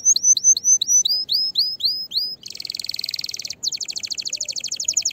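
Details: Fiery, excited canary song for stimulating other canaries to sing: a series of about ten upslurred whistled notes, then a dense buzzy rattle and a fast clicking trill.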